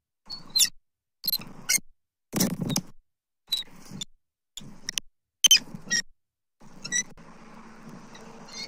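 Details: A pair of bald eagles at their Southwest Florida nest, 29 October 2024, during repeated food deliveries by the male; clipped bursts of thin, high squealing notes are separated by silences, with a soft steady hum at the end.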